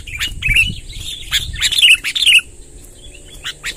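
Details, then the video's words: Brief run of a sooty-headed bulbul's long rolling lure song: quick warbled slurs rising and falling, loudest in the first two and a half seconds, fading to faint notes, some low background rumble. "suara tembakan BURUNG KUTILANG NGEROL PANJANG | gacor kumpulkan kutilang liar"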